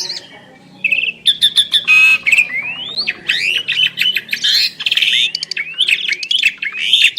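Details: Asian pied starling pair duetting: after a short quiet start, a fast stream of clicks, rising whistled sweeps and harsh squawky notes, repeated in busy overlapping phrases.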